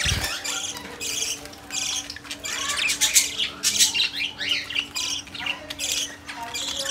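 Young budgerigars chatter in fast, scratchy squawks and chirps that overlap almost continuously.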